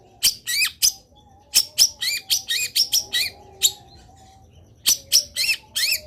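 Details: Energetic Long-tailed shrike song: bursts of quick, bright chirps in tight clusters broken by a short pause, over a soft thin whistling tone.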